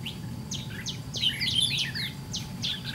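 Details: White-cheeked Red-whiskered bulbul fighting a caged decoy at a trap: dense overlapping whistles with steep downward slurs, loud and excited, over a low rumble.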